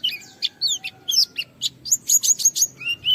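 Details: A white-eye in full song, challenging a rival to provoke other white-eyes into singing: rapid high, thin chirps and whistled notes, some sliding down, delivered in a quick uneven chatter, with a faint low hum beneath.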